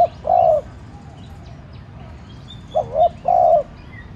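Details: Decoy spotted dove cooing to encourage other doves to call: a long steady coo, a pause, then a wavering note and another sustained coo, over light background bird twitters.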